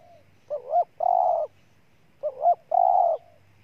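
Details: Spotted dove from Ninh Thuận, Vietnam, cooing: two phrases about two seconds apart, each a quick double note followed by a long, burry, level coo, with a quiet background.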